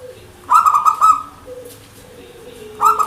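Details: Zebra dove, a local Indonesian bird, singing: a soft low note, then bursts of rapid stuttering higher coos held for about half a second, repeated after a pause.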